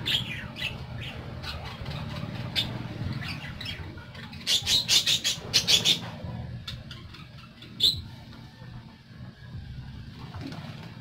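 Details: Pet parakeets give scattered high tweets over a low background murmur, then a burst of rapid, loud chirping in the middle and a single sharp note later on.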